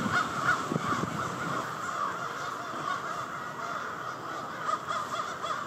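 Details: Huge nighttime gathering of crows in Victoria Park, Charlottetown, Prince Edward Island; a thick, seething chorus of overlapping caws, with some low thumping noise early on beneath the calls.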